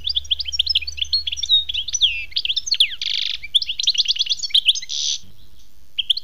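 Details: European goldfinch song: fast, liquid twittering of sharp up-and-down notes, broken by two harsh, noisy buzzes and a run of quick repeated chips, with a faint low hum early on.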